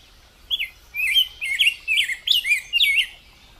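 A Rose-breasted Grosbeak sings a rich, sweet warble of rolling, robin-like phrases that rise and fall, about six quick notes run together with no pauses.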